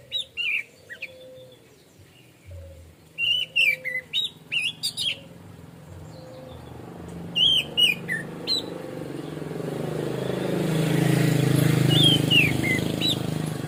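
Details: Orange-headed thrush (anis merah) singing in a relaxed 'plong' style: bursts of quick high chirped and whistled notes in short runs, a pause, then more phrases, over a steady low whistle and a swelling hiss toward the end.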